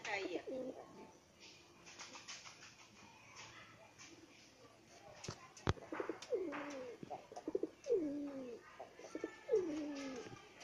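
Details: Fighting pigeons give arched, rising-then-falling cooing notes in a burst at the start. Later the coos repeat steadily about every second, with clicks, a sharp knock and faint voices between them.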